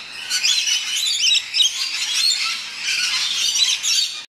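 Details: Rainbow lorikeets landing at West Midlands Safari Park chatter in a dense, shrill wash of overlapping screeches and squeaky twitters, unbroken for about four seconds, with no other sounds standing out.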